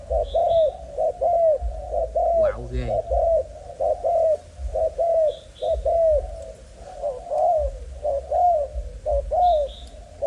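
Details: Spotted dove, a young Malaysian-line male with a broken wing and plenty of vigour, keeps up a long chain of low warbled coos, briefly broken by a sharp clatter, with repeated faint high chirps behind.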